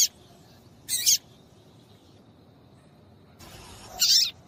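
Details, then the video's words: Female papa-capim seedeater piping to excite males into song: a clipped chirp, a doubled harsh squeak, a long silence, then a noisy swell ending in a loud high note. "PIADO DE FÊMEA DE PAPA CAPIM PARA DEIXAR SEU PAPA-CAPIM DOIDO PARA CANTAR LOGO!"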